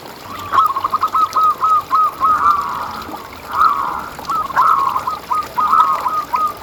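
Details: Zebra dove song used to rouse and train caged doves: two long trilling runs of fast, rolling coo notes, the phrases slightly blurred and overlapping.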